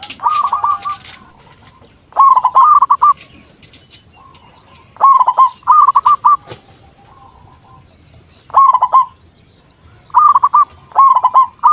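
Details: Zebra dove, a local bird singing vigorously as lure song to draw replies from other zebra doves: repeated clusters of rapid, bubbling coo phrases at irregular intervals, separated by soft single notes and quiet pauses.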